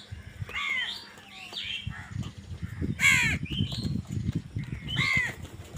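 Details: Crows fighting for food give scattered harsh caws over rumbling low background noise, with thin whistled calls of other birds mixed in.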